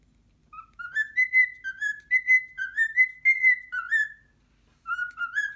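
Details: Pet cockatiel indoors, frightened by its first muscat grape: a run of clear whistled notes, each sliding slightly upward, in quick irregular bursts, a pause, then a few more rising whistles.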